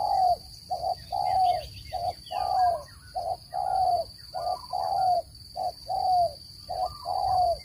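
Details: Spotted dove cooing, used as a lure for bird trapping: a steady run of low, mellow coos alternating short doubled notes with longer slurred ones, roughly one note a second, a thin constant high tone behind.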